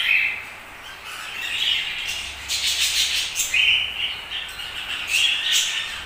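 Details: Budgerigars chirp and warble with short whistled squeaks repeated every second or so over a background of soft, continuous flock chatter.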